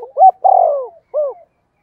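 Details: Spotted dove coo used as a lure for wild birds: a short rising note, a long sustained low coo, then one final softer descending note.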